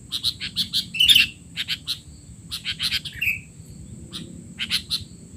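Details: Tutor recording of a sooty-headed bulbul for young birds: short separate chirps in pairs and small groups, one brief twittering flourish near one second, a soft slurred note later, and a faint continuous high tone.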